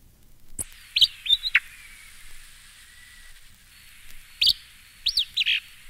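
Acadian Flycatcher giving sharp, explosive high-pitched 'peet-sup' phrases in two quick bursts a few seconds apart, with faint background hiss.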